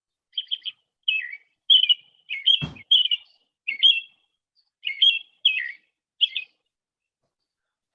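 An American Robin carols in short, rich whistled phrases of two to four notes, about one a second, with brief gaps; a single soft knock sounds midway.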